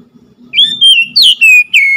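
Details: Oriental magpie-robin song: a phrase of four loud, clear whistled notes, the first long and slightly rising, then sliding and falling whistles, with a faint low murmur beneath.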